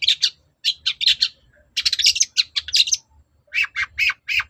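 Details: Energetic long-tailed shrike song played to coax a reply: groups of squawky, grating notes in quick pairs and clusters, a dense scratchy burst, then four lower, harsher rasping calls evenly spaced.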